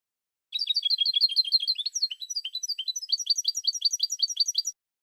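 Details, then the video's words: European goldfinch singing continuously for about four seconds, 2016 recording: rapid, rhythmic tinkling twitter of high, downslurred notes, with a brief varied middle section of buzzier swoops, clean background. "Cante De Jilguero"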